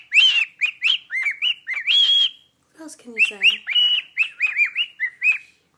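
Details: Pet cockatiel performing "Jingle Bells" for its owner with rapid rhythmic whistled notes and sustained tones; a brief lower, harmonically rich sound interrupts midway before the whistling resumes.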